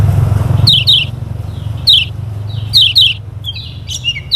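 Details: Lombok kecial kuning, a lemon-bellied white-eye, played to coax birds into singing: scattered sharp high twittering notes in short clusters over a constant low engine-like hum.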